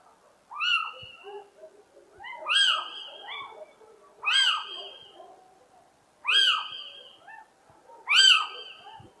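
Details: Little owl (Athene noctua) song: five plaintive, rising-then-falling mewing hoots, one about every two seconds, against a quiet background.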